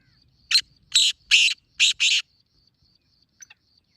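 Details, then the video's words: Black francolin call for luring francolins: one short note, then four longer harsh, rasping notes in quick succession, the last two paired, over a faint high whine. "Black Teetar Calling Sound"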